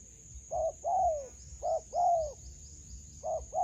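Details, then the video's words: Spotted dove calling in a melaleuca garden where it is being trapped with a decoy. Paired coos are heard, a short clipped note followed by a long falling one, repeated three times against a steady shrill background hum. "Bẫy Cu gáy vườn tràm .gặp bổi tố chất"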